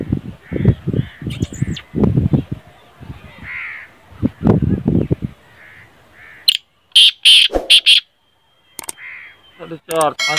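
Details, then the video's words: Man talking at first, then a black francolin breaks in with a short phrase of loud, rasping, clipped notes, followed by scattered other noises. "Kala teetar ki awaz"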